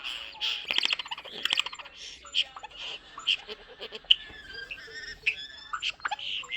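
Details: Chatty pet common starling that talks, delivering a run of clicks, rattles, sharp ticking notes and wavering whistles, rhythmic and dense throughout like mimicked chatter.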